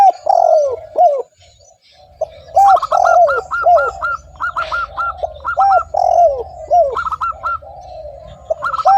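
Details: Actively calling spotted dove meant to pull in other doves: repeated phrases of warm, arched coos with many quick, higher repeated notes and a steady low pulsing rumble.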